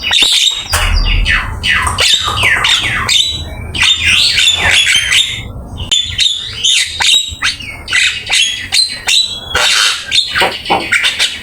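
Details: Actively singing Javan myna, full fill-in song kept as a master recording for training: quick alternating high whistles, descending slurs and scratchy squawks, packed tightly and loud throughout.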